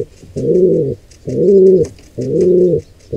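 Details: Low pigeon cooing as an intruder pair attacks a wild squab in its nest: three long, humming coos spaced about a second apart, each swelling and fading, over faint clicks.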